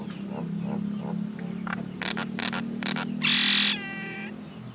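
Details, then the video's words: Common myna making noisy calls: a mix of harsh chattering bursts and squawks followed by a loud, drawn-out whistled note with strong overtones, over a steady low hum. "Little Mynah Bird making Noise"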